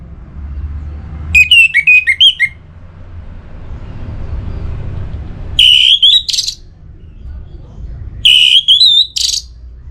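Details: Caged orange-headed thrush in north Bali, in breeding condition, calling a rival: three bursts of loud whistled, warbling notes with sharp clicks and rasps, spaced several seconds apart over a steady low background rumble.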